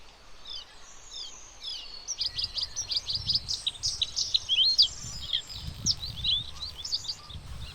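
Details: Bluethroat, locally called nilgola fidda, in a fast, varied run of high chirps, trills and twittering notes that builds after a quiet start, with low rumbling noise underneath.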